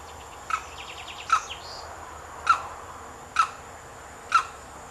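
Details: Limpkin (Aramus guarauna) at Lagunas de San Vicente Nature Reserve, Buenos Aires Province, Argentina, on 9 December 2017, gives five short, harsh, clipped calls about one second apart over faint high chirps and steady insect whine.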